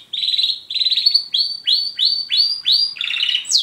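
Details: Male Border canary singing a rapid, high run of rolling trills and bright chirps, phrase after phrase with almost no pause, with a second canary, a German Roller, in the background.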